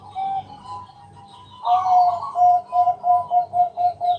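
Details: Bangkok-type zebra dove singing at night to lure other doves into song: a soft opening coo, then a run of short, mellow, even notes at about four per second, over a steady low hum.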